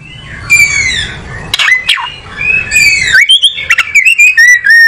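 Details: Oriental magpie-robin song with long drawn-out whistles, sharp downward-swooping notes and rapid clicking chips, ending in short repeated whistled phrases.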